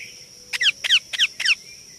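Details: Young Indian ringneck parakeet uttering four rasping, downward-slurred chirps in quick, regular succession, roughly three per second, against a quiet background with a constant thin high hum.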